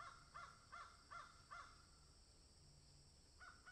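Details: Crows in a garden shared with magpies: a run of five hoarse, harmonic caws about every 0.4 seconds, then a short pause and two more caws, over a faint steady background hum.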